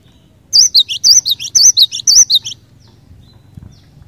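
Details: Lively cinereous tit, its song played to provoke other cinereous tits into singing, gives a two-second burst of high, sharp, wavering whistled chirps in quick pairs, then falls quiet.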